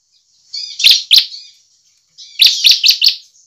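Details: Lively bar-winged prinia ('ciblek gacor') used to stimulate other prinias to sing: two sharp high notes over a buzzy rasp, a pause, then four quick crisp ticks.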